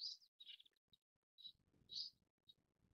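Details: Indian silverbill (Euodice malabarica), an introduced species in Taiwan, giving short, high, thin chirps, about two a second, some doubled, over a faint low background murmur.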